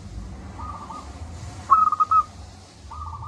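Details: Big-voiced local zebra dove used to prompt lazy doves, heard as a soft distant trill, then a loud crisp phrase of quick cooing notes, followed by another faint trill.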